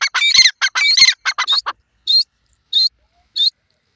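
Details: Grey francolin gives a rapid burst of shrill, grating, ringing notes, then slows to three spaced, clear single notes roughly every two-thirds of a second, with silence between.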